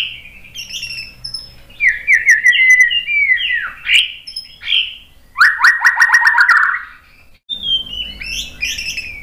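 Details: Provocation song of a White-rumped shama: mixed high whistles and chattering notes, a quick burst of about eight slurred notes in a row, a brief break, then renewed high whistles over a faint hum.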